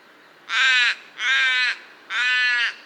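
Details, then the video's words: Common raven giving three loud, harsh, hoarse caws in quick succession, each about half a second long and evenly spaced, over a quiet background. "Raven Sound | Mysterious Calls of One of Nature’s Smartest Birds"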